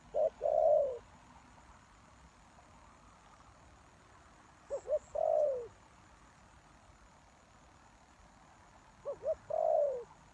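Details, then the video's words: Spotted dove cooing, used as a lure for wild doves: three spaced phrases, each of one or two short notes followed by a longer falling coo, over quiet background hiss. "The Cu Gáy Mồi Đất"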